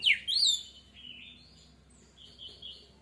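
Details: Orange-headed thrush song used as a lure to trigger other birds to sing: a loud high buzzy whistle that rises and falls, then a pause and softer high warbled phrases later, over low steady hum.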